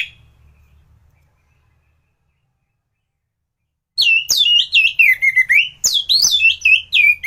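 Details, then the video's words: Orange-headed thrush song used as a training recording for other birds: after four seconds of silence, loud varied whistled phrases sliding between high and mid pitch, with sharp clicks and quick tumbling notes. "Burung anis gacoran || masteran untuk burung anis"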